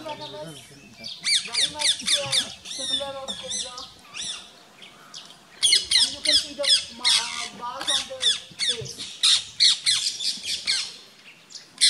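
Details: Rose-ringed parakeets harassing a marauding rat snake, Gir Forest, Gujarat, India, 3 April 2015. Rapid strings of shrill, down-slurred screeches, several per second and nearly continuous, with faint voices of onlookers underneath.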